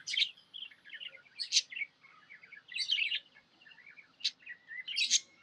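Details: Cheerful budgerigar chirps: short bursts of buzzy, squeaky warbling separated by brief pauses, with a few sharp high notes.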